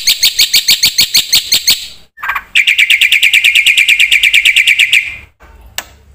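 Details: Black-winged myna, a vigorous singer with many fill-in phrases. A quick train of high, ringing, harmonic notes gives way to a long, steady, buzzy trill, then a single short chip.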